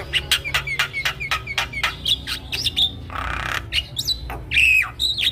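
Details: Javan myna song played to stimulate quiet mynas: a fast series of sharp clicking chips with slurred squeaks, a brief harsh hissing rasp midway, then bright whistled notes with a wavering tone.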